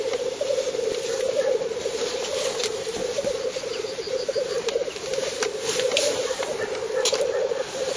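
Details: Spring black grouse lek in northern Finland, 30 April 2011, recorded from 50 to 70 metres by a camera: steady, dense, low bubbling murmur from many birds, broken by several brief hissing rasps.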